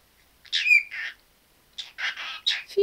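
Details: Caged pet parrot talking; quick buzzy, slurred phrases mixed with short whistled notes, in two bursts separated by a pause, and a person's voice nearby.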